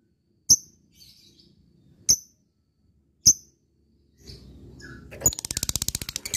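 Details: Lovebird of fighter type calling to an opponent: three sharp, very high clicking chirps about a second apart, then a fast harsh chattering trill begins at the end.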